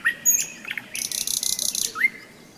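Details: May nightingale trill by the Seversky Donets during a hike: clear whistles open, then a rapid rattling run of pulses lasting about a second, ending in a rising whistle, with frogs croaking low in the background.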